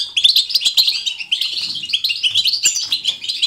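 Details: European goldfinch singing in the batbata style, lively and natural: a continuous rush of tinkling chirps and rattling trills, bright and rapid throughout.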